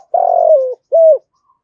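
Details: Spotted dove kept as a decoy to attract wild doves, 'giọng thổ' voice: a long, slightly rough coo that drops in pitch at its end, followed by a shorter, even, hollow coo.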